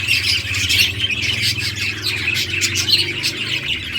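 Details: Several playing budgerigars on June 17, 2023 fill the air with constant squawky chirping, over a low steady hum in the background.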